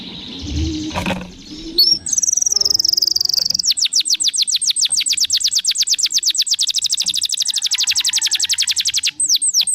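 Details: Canary song meant to prompt other canaries to sing: after faint low noises, a sustained high whistle followed by a long fast trill of repeated notes, ending with a couple of sweeping notes.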